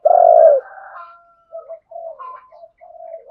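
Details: Spotted dove calls, from both males and females, played to provoke a wild rival dove into coming in to fight. One loud, deep, throaty coo opens, followed by short, softer cooing fragments and brief pauses.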